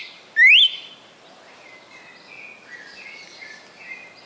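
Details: Red-cowled cardinal, a caged bird in Fortaleza, Ceará, Brazil, whose song runs past 20 notes; a single strong upslurred whistle, then soft distant chirping in the background.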